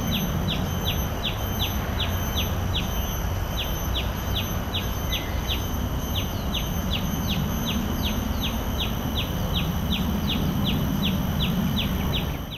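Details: A common tailorbird at Bidadari, Singapore, repeats a sharp, high note about twice a second, steady and insistent, over a low rumble and faint high insect hum.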